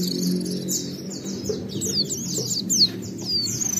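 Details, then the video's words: Oriental white-eye song meant to draw other white-eyes into singing: thin, high slurred whistles and chirps running in loose sequence, partly masked by a steady low background hum. "Pleci Gacor MUNTAHKAN Isian Memancing Semua Pleci Ikut Gacor Bongkar Materi"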